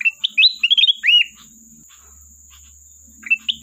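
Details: Sooty-headed bulbul calling a rival: a rapid string of chirpy whistled notes closing with a curved, drawn-out whistle, then a pause with low murmuring background, and the phrase beginning again at the end; a steady high tone throughout.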